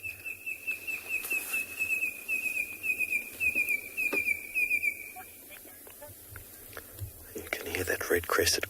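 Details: Red-crested korhaan calling in the background of an afternoon game drive in a South African reserve, 27 August 2020: a steady series of short, sharp piping notes for about five seconds, then rustling and handling noise.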